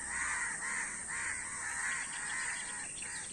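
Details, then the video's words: Crowd of crows with dense, raspy cawing, calls running almost back to back at roughly two per second, steady hiss underneath. "অনেক কাক Crow Bird's Video | কাকের ভিডিও ও কাকের ডাক"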